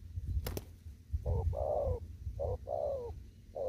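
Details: Wild spotted dove in a Kon Tum field calling in 'thúc gù' fashion: hollow double coos, a short note followed by a long slightly falling one, repeated rapidly, with two sharp clicks at the start and low rumble.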